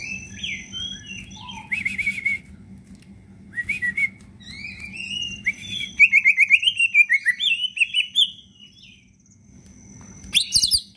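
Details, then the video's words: Leafbird kept as a cage bird, singing a varied song packed with fills, played to coax silent leafbirds into song: scattered whistles and buzzy bursts building into a rapid, jumbled stream of high chattering notes. "cicak ijo gacorr full isian"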